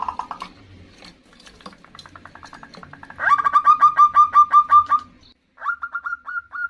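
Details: Calling female zebra dove answering toward the male: soft ticking sounds lead into a loud, regular series of hooked notes, about eight, followed by a short pause and a few more quick notes.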